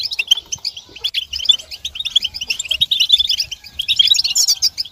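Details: Chorus of European goldfinches, twittering used to rouse males to sing and end their silence; thin, quick chirps tumble in dense runs, becoming louder and busier toward the end.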